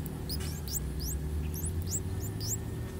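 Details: Nestling streak-eared bulbuls, three days old, in a water jasmine tree beside a house, calling for food from their parents: quick series of high, thin, rising chirps, roughly three a second, over a low rumbling background.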